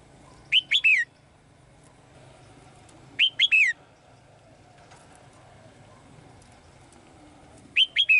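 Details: In a cage, a female bird sings to summon the male. Three brief phrases of three clear, high whistled notes, the last note sliding down, come roughly every three and a half seconds against soft background noise.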